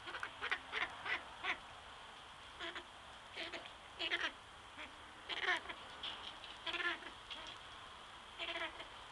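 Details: Cabot's tragopan (Tragopan caboti), captive-bred in Belgium, gives harsh, nasal, quacking bursts in uneven clusters, roughly every second or two, over a steady high hiss.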